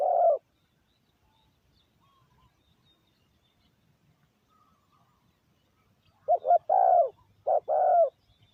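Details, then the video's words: Decoy spotted dove calling to lure wild doves: a cut-off coo at the start, a long silence, then near the end a phrase of two short hoarse notes and a longer falling coo, followed by a shorter repeat. "chim cu mồi gáy gọi bổi"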